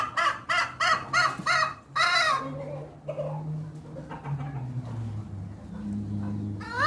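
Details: Unusual hen call from a domestic chicken: a rapid series of six harsh, nasal, ringing notes about three per second, followed by softer scattered clucks and a low steady hum in the background.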